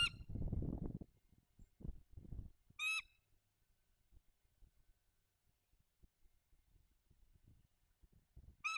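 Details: Bald eagle on a nest holding one egg during November 2022 incubation, captured by a live nest camera: three brief, high, ringing squeals spaced several seconds apart, with low rumbling and rustling nest noise in between.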